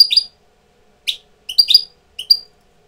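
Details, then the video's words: A European goldfinch used as a tutor bird, coming into breeding condition, gives short clipped twittering notes in small bursts roughly every half second, high and bright, in a quiet indoor room. "jilguero maestro cogiendo el celo"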